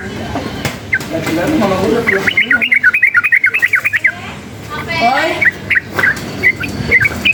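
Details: Sooty-headed bulbul worked up by noise: a man speaks briefly, then a fast chattering burst of whistled notes, followed by more talk and scattered single bright whistles near the end.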